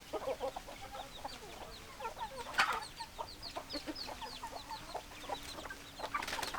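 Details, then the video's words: Chickens on a farm, hens clucking: many short repeated clucks and chirps from several birds overlapping, with a louder squawk near the middle and a faint low steady hum throughout. "Chicken Sounds Noises Hens Clucking Roosters Crowing"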